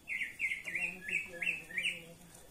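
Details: Cucak pantai Papua (varied honeyeater) in full voice: six loud whistled notes, each briefly rising then falling, delivered in quick succession about three per second, over a faint low hum.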